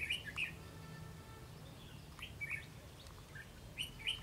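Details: A red-whiskered bulbul perched high on a treetop or rooftop sings short, bright chirping phrases in three bursts spaced over a few seconds, over a steady low hum.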